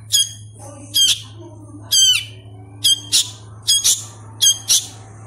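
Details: Hand-fed sooty-headed bulbul chick, still learning to vocalise, giving harsh, high, buzzy squawks in short bursts roughly every second, some doubled, over a steady low electrical hum.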